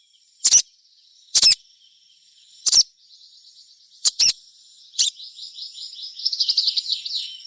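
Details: Sogon call used to coax other sogons into song: spaced loud high double chirps, then a soft fluttering high twitter building toward the end.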